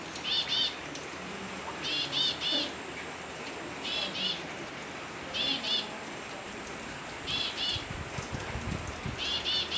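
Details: Elegant tit, a Philippine endemic, giving short, high, sharp call notes in quick clusters of two or three, repeated about every two seconds over a soft background hiss.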